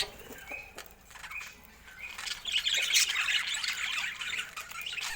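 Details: Budgerigars give a few soft, short whistled notes, then break into louder, busier chatter of scratchy, overlapping squawks and twitters during the second half.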